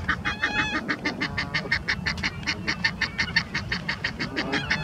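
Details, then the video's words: Egyptian geese fighting on the Round Pond, two males wrestling while a mate shouts encouragement; fast series of raspy honks, slightly uneven in pace, over low water and wind rumble. "Egyptian Geese fighting"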